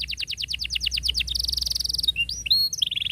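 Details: Canary singing cuit cuit and tight rolls to teach young canaries: a run of rapid sweeping chirps, a bright fast trill, then rising whistles and a short high roll, loud and clear.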